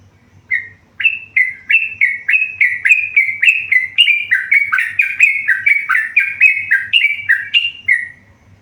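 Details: A tame yellow-vented bulbul in full song, delivering a long rapid series of rich, bubbling whistled notes, about three or four a second, each dipping and rising, with a soft low hum behind.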